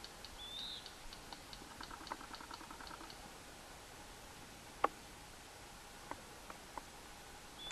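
Yellow Rail giving a quick run of dry, stony ticking clicks, then a few scattered single clicks; a brief thin whistle from another bird.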